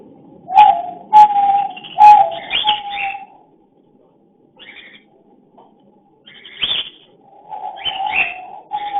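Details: Cockatiel; mating call; courtship during breeding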